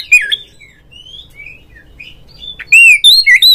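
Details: Oriental magpie-robin song as a lure to provoke a rival kept bird; a harsh slurred note, soft scattered whistles, then a loud burst of clear rising and falling whistled phrases.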